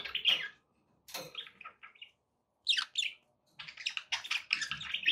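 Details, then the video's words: Chattering pet budgerigars, offered to encourage another parrot to feed and sing, give sharp squeaky chirps, a harsh scratchy burst and, after a pause, a rapid run of grating warbled notes. "budgie sounds to encourage your parrot to eat and sing"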